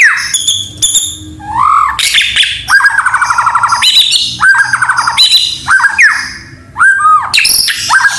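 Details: Vigorously singing White-rumped shama, its song mixed with mimicked canary and cililin phrases: sharp high chips, downslurred whistles, then fast rattling trilled series repeated several times between short pauses.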